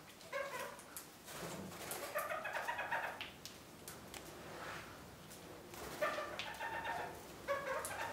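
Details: Captive red-crowned parakeets, kept as pet birds, busy with a large willow branch given to them as occupation during the dreary winter; harsh, nasal, chattering call bursts come in short clusters, with quieter gaps and rustling between them.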